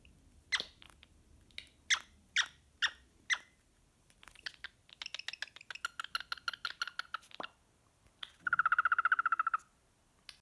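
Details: Pet cockatiel cuddling a stuffed animal, which it likes to hum with: sharp high chirps spaced about half a second apart, then a run of rapid softer chirps, and a buzzy, rattling warbled trill near the end.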